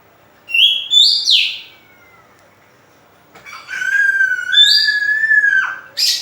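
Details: Oriental magpie-robin song for stimulating other birds: rising whistled notes with a quick downward slur, a silent gap, then a long varied warbling phrase of sliding whistles ending in a sharp high note.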